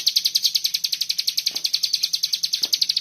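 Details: Common iora delivering a dense 'bren' masteran song for training songbirds: quick, regular trilled chirps, high and bright, pulsing roughly eight times a second, with two faint low knocks in the background.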